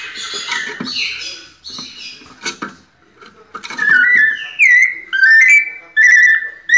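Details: White-necked thrush; soft higher, buzzy notes open the recording, then the pianado begins with four or five loud, pure whistles that slide and bend, repeated at steady intervals.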